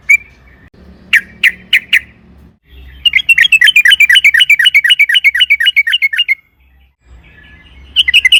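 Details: Yellow-vented bulbul (trucukan) song used as a lure so a bulbul sings, a long rolling 'ropel panjang' style: short bright chirps, then a fast rhythmic rolling trill of about three seconds, then further chirps, all mid-pitched.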